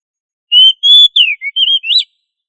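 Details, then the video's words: Kacer, the oriental magpie-robin, singing in lively gacor ngobra style as a training master for other birds: a quick run of about six pure, high whistled notes, level and falling slurs mixed with a short wavering phrase, on a silent background. "Suara Burung kacer Gacor Ngobra"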